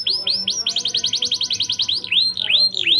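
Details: ['Canary used as a lure to boost breeding drive in young birds: several arched upswept notes, then a quick even burst of short chirps, then more arching whistled notes.']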